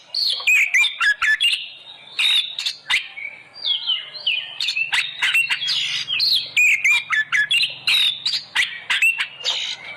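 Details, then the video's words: Oriental magpie-robin song used as a lure to get kept birds singing: a rapid, dense stream of varied whistles, sharp chips and buzzy notes in quick bursts, with a low hum underneath. "pancingan burung Kacer agar gacor"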